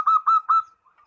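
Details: Zebra dove calling a rival: three short, clear cooing notes in quick succession, the last drawn out and fading, followed by faint soft murmurs.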